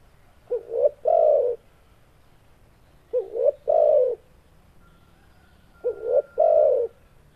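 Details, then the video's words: Tekukur, spotted dove, repeating a three-part coo: two quick rising notes and a fuller, rolling final coo, phrases spaced roughly every two and a half seconds, with a faint steady tone in the background. "Suara Burung Tekukur"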